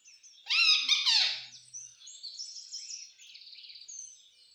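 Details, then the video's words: Green parrot talking: a loud burst of harsh, voice-like syllables with stacked harmonics for about a second, then softer high chattering and buzzy notes trailing off. "green parrot🦜 talking🗣"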